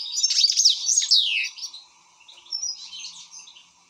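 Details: European goldfinch in an excited state, giving a burst of tinkling, slurred twitters for about one and a half seconds, then softer scattered chirps with a light background hum.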